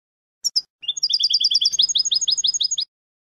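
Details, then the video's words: European goldfinch phrase meant for tutoring young goldfinches. Two sharp opening notes are followed by a fast, even series of high, tinkling double notes, then a slightly lower rolling trill of paired chirps. A faint low hum sits in the background. "موسوعة الحسون العالمية (9) chants des chardonnerets du monde (9) goldfinch songs"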